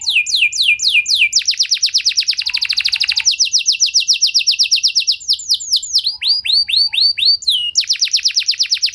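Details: Canary in long, varied continuous song, meant to stimulate other canaries: falling whistled notes, a very fast dense trill, steady repeated phrases, then broad swooping slurs.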